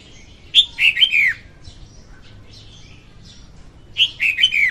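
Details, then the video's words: Female red-whiskered bulbul song recorded in 2021 as trapping bait: two bubbly phrases of four or five liquid, down-slurred whistles about three seconds apart, with faint soft notes between them. "Tiếng chim chào mào hót Ko Tạp Âm dùng đi bẫy 2021"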